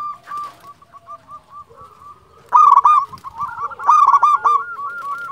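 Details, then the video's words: Zebra dove of a local strain, calling energetically: soft cooing notes at first, then two louder bursts of quick, bubbling repeated coos with a ringing, harmonic-rich quality. "Perkutut lokal gacor Juara memanggil"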